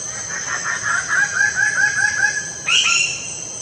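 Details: Lesser bird-of-paradise delivering a quick string of loud, clipped, repeated call notes that speed up, ending with a harsher higher note, amid a continuous insect drone.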